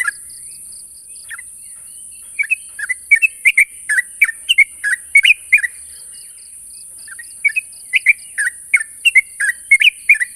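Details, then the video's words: Sooty-headed bulbul calling to challenge a rival: bursts of short, bright chirping and slurred notes, rising and falling, delivered in quick clusters with a pause in the middle, over a steady high-pitched hiss. "suara burung trucuk memanggil lawan"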